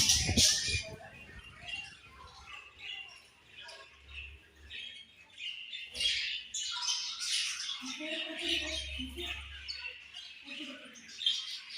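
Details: Several budgies chatter continuously, with rapid high squawky chirps and warbling notes layered over each other, plus occasional low rumbles and a thump at the start.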